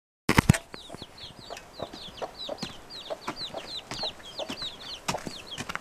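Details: Domestic hen leading five chicks outdoors to search for food, chicks about three days old; rapid high descending peeps repeated continuously, with a few louder clucks and scratching noises.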